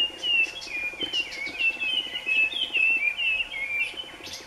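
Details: Male scarlet minivet calling: a quick series of thin whistled notes, each sliding downward, strung together in a steady run, with soft chips from other birds behind.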